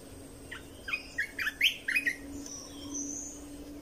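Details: Red-whiskered bulbul song meant to coach young birds and excite birds: a rapid string of emphatic whistled chirps rising in loudness, then quieter high thin notes trailing off, with a steady faint hum behind.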